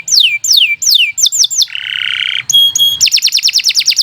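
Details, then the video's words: Canary singing as a tutor for young or non-singing canaries: several downslurred whistles, then a low buzzy trill, pure held notes, and a fast high rattling trill. "Kicau Burung Kenari 80 II GACOR PANJANG Cocok untuk Masteran"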